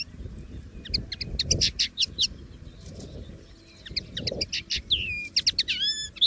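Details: Common linnet heard singing in the wild: bursts of quick tinkling chirps and buzzy notes, ending in drawn-out descending whistles, with a soft low rumble underneath.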